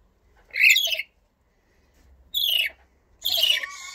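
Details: A blue-streaked lory (Eos reticulata) gives three harsh, grating screeches, each under a second, spaced about one to two seconds apart, with quiet between them.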